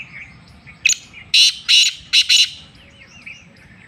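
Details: Black francolin from Sindh, Pakistan, giving a loud rasping phrase of five harsh, grating notes: a short lead note, two longer buzzy ones, then two more close together. Faint chirps of small birds sound before and after.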